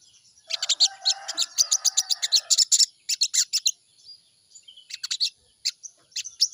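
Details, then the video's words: Crimson sunbird morning lure song, used to get the bird singing fast: dense runs of high, thin, piercing chips in quick succession, a lower warbling undertone early on, then a pause and scattered sharp notes again. "pancingan burung sogon di pagi hari || pancingan sogon agar cepat bunyi"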